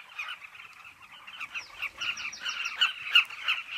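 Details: A cliff colony of carmine bee-eaters gives layered chattering calls, with closer individual notes standing out over the crowd and a brief series of thin high chirps in the middle.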